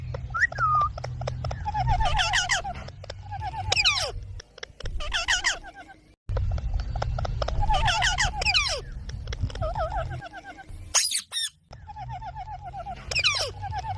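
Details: Baby rose-ringed parakeet calling: repeated harsh, rasping squawks in rapid bursts with descending stepped notes, grouped into several series separated by short pauses, over a steady low hum.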